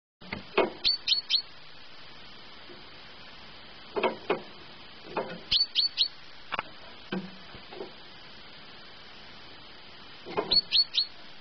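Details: Great tit kept indoors, singing at 6 in the morning: quick bursts of three thin, high notes, repeated every few seconds, mixed with louder clicks, taps and knocking sounds over a steady low hiss.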